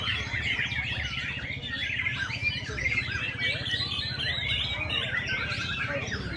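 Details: White-rumped shama of the black-tailed type, a 'hot type' singer: a dense, unbroken stream of varied whistles, trills and chattering phrases, fast and overlapping, over a low rhythmic rumbling background.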